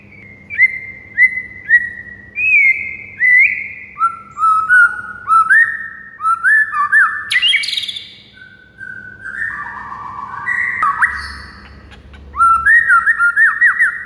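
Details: Masteran morning song of a white-rumped shama for tutoring other birds: a steady series of short rising whistled notes about every half second, shifting pitch, a brief harsh rasping burst midway, then varied warbles and quick whistled runs, with faint hum.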